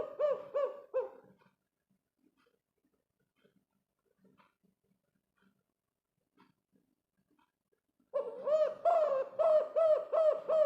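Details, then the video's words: Spotted dove, kept as a lure bird to attract other doves, giving its five-note coo: a burst of deep repeated coos, a long quiet gap with faint soft sounds, then another strong run of rhythmic coos. "BURUNG TEKUKUR GACOR KUK 5 ISTIMEWA"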